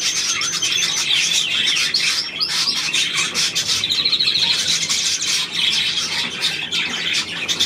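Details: Budgerigars recorded on 9 February 2024, a dense, continuous chatter of overlapping high chirps, warbles and short squeaks with brief whistled notes near the middle, no pauses throughout.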